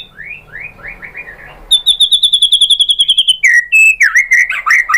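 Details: White-rumped shama song for drawing out other shamas: soft slurred notes, then a rapid, high, evenly repeated trill of about fifteen notes, followed by varied loud whistles and chatter.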